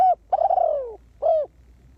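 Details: Decoy spotted dove used to attract wild doves. A short coo, then a long, slightly pulsed note that slides downward, and a final rounded coo. The surroundings are quiet.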